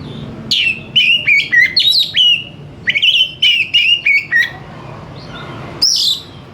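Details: Oriental magpie-robin in fast, responsive "gacor" song: a rapid string of bright whistled notes, roughly three per second, falling slightly in pitch, then a pause and one high swooping note.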